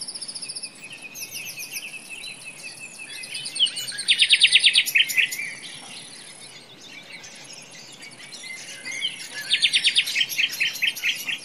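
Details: Common nightingale in forest, singing high whistled notes, then loud buzzy rattling trills of rapid repeated pulses, pausing briefly between phrases while other birds call faintly.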